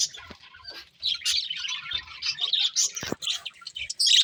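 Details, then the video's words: Several budgerigars chirping: continuous high, scratchy warbling chatter with quick twittering notes and squeaks, varying in loudness, broken by a few short clicks. "Cute Budgies Chirping Sounds"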